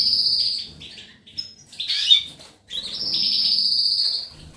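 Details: European goldfinch song from 19 May 2018: long, sustained high tonal notes with a buzzy edge, broken by a brief scratchy jumble of twitters, then another drawn-out ringing note.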